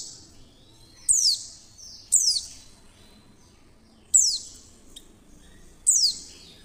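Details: Clear calls of a female Oriental white-eye, used to coax other white-eyes to open their beaks and sing: four thin, piercing downward-slurred notes at uneven gaps of one to two seconds, with faint soft high notes between, against low steady hiss.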